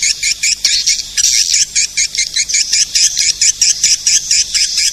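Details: Calling sound used to lure edible-nest swiftlets: loud, shrill, buzzy chirps in quick succession, about two per second, in irregular bursts with short gaps, steady from start to finish.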